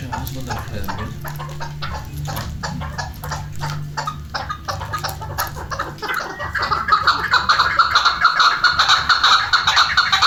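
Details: Chukar partridge linked to hunting; sharp clicking notes at first, then from midway a loud, rapid chorus of raspy chuckling calls repeating a little over twice a second, over a low background rumble.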